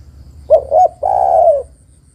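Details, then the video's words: ['A female spotted dove calls the male with a single phrase of two brief low hoots and a sustained, rough, gently falling coo, used as a lure for males that seldom sing.'] "Tekukur betina memanggil jantan suara bagus untuk pancingan tekukur jantan yang malas bunyi"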